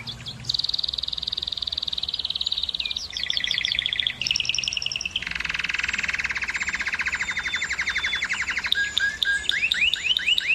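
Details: Canary song meant to excite female canaries and urge them to breed: a run of rapid trilled tours, each holding one repeated note before switching to a new phrase, some low and buzzy, ending in quick rising upsweeps.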